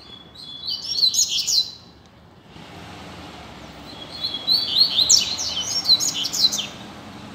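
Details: Double-collared seedeater, a free-flying bird singing out in the street, presented as a tutor songbird for learning: two bursts of fast, high, twittering and chipping notes, the first short, the second longer and louder, with soft street background noise between.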